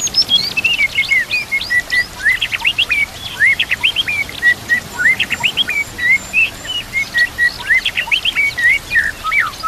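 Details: Training-master song of a white-rumped shama: a fast, dense run of short whistled slurs and sharp high chips, repeated rapidly for about ten seconds with little pause, over faint natural background sound.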